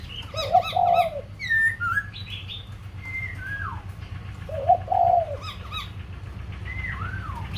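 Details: Song of a white-crested laughingthrush recorded in Kbang, Vietnam: mellow warbled bursts and clear sliding whistles, some dropping sharply in pitch, given in two loud bouts a few seconds apart over a steady low rumble.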